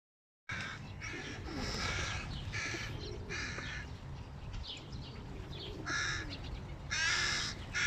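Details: Hungry hooded crow chicks beg loudly on seeing their father arrive with food: a string of about seven harsh, rasping bursts, some drawn out and others clipped, over a steady low rumble.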